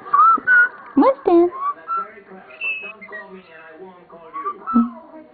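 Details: Pet common starling indoors, acting playful and mimicking, singing the Andy Griffith theme: clear whistled notes near one to two kilohertz with sliding pitch, broken by short harsh voice-like bursts, while a man talks nearby.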